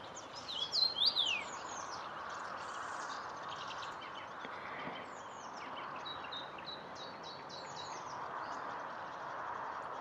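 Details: A Common rosefinch at Irschener Winkel gives one short, clear phrase of swooping whistles near the start; fainter chirps from other birds follow over steady background rushing.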